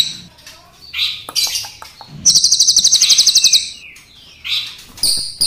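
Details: Crested jay, black and brown forms compared, calling actively: scattered short high chips and squeaks, then a loud, fast, even rattle of about a second and a half, followed by more thin rising notes.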